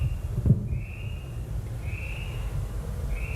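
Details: A little spotted kiwi gives one call made of many syllables: thin, level, high whistled notes, each under a second long and about a second apart, over a low room rumble.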